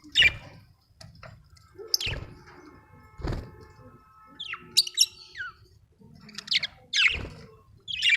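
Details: Budgie chirping: scattered high squeaks and a few twisting, falling chirps, separated by quiet gaps and broken by low thuds.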